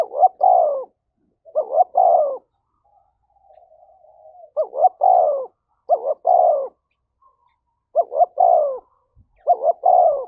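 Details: Spotted dove calling to provoke a rival: loud phrases of two short rising coos and a longer falling coo, repeated about every one and a half seconds, with a faint murmur in one gap.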